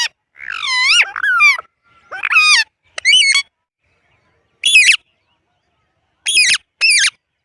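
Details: Indian ringneck parrot talking, saying words such as mitthu and mammi in harmonic syllables with wavering pitch, followed by a few separate sharp high calls spaced out over several seconds.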